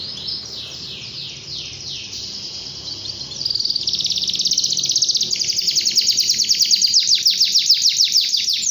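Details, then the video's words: Canary song that opens with slow descending swoops, then shifts into dense, rapid buzzy trills that grow louder and more pulsed toward the end. "KENARI GACOR"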